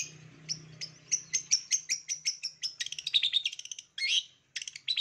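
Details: A long-tailed shrike, in a recording used to coax lazy, quiet shrikes into singing, pours out a fast run of sharp, high chirps and scratchy notes, several per second, with a low hum underneath.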